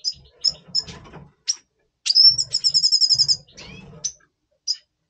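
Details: Caged red siskin of the double pastel colour form, recorded in November 2023 in breeding condition before breeding: high thin chirps and short notes, then a fast buzzy trill near one second long, with faint low rumbling beneath.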